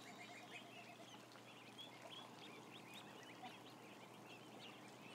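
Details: Crowd of about a thousand ducklings on a livestream cam, giving a dense chorus of short, high, rising peeps that overlap continuously against a steady background hum.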